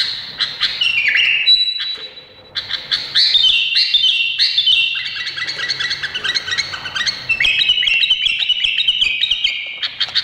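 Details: Long, energetic song of an Indonesian bulbul, mixing clear sustained whistles, sweeping slurs and fast stuttering trills, with a few short gaps and a quieter lower note in the background.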